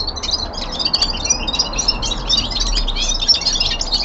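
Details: Common linnet, a young male songbird kept at home, sings a rapid twittering song of short chirps, trills and whistled notes, densely packed and continuous throughout, with faint low hum beneath.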